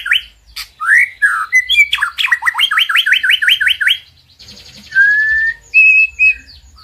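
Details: White-rumped shama singing in a master recording made to boost a silent bird's mood to sing. Short whistles and slurs lead into a rapid run of rising notes, then a buzzy passage and clear level whistles.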